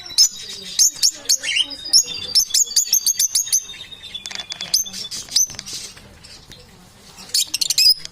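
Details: Busy parrot chirping: dense, rapid, high twittering notes and whistles run almost without pause, with a thin sustained tone in the first half.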